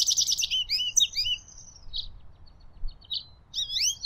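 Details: American goldfinch singing a lot in the wild: a rapid, high, twittering run of sweet trills and tinkling notes, pausing briefly before resuming; faint background hum.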